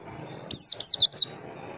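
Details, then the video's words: White-eye call played as a lure to make other birds answer; a quick run of four high, thin, downslurred whistled notes joined together over a low background hum. "Suara burung pleci memancing bunyi"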